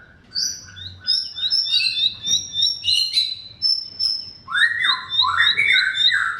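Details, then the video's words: Varied bar-winged prinia song, used as a lure to start silent or slow caged birds singing: high chirps repeated several times a second, then a series of loud, harsh, buzzy notes. "BERBAGAI ISIAN KICAUAN CIBLEK, PANCINGAN AMPUH UNTUK SEGALA JENIS BURUNG BISU, MACET ,LELET"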